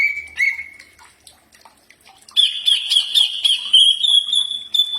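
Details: Common iora (cak ijo) training song: short whistled notes, a quiet gap, then a long sustained high whistle with rapid chattering overlay.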